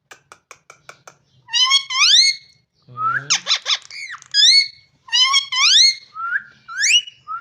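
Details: Parrot talking indoors: a row of quick soft clicks, then harsh squeaky bursts mixed with many loud upward-sweeping whistled calls, some paired and some alone, with a brief low voice-like tone in the middle.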